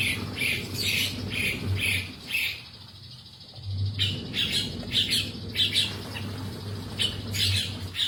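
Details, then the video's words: Long-tailed shrike singing lively harsh, buzzy scratchy notes repeated in quick clusters, falling quiet for about a second before resuming, with a faint low hum underneath. "BURUNG CENDET GACOR"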